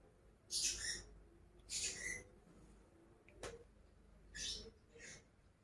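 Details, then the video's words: Pet lovebirds, two named birds, giving harsh, raspy screeching bursts, spaced about a second apart with quiet gaps, recorded faintly indoors over a low background hum. "CİCİKUŞ SESİ----Cennet Papağanı"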